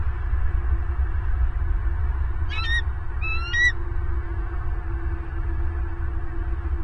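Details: Bald eagle calling at a Southwest Florida nest, filmed by a live nest camera in November 2022 near the laying of the first egg: two quick piping bursts of sharp ascending chirps against constant low-frequency background hum.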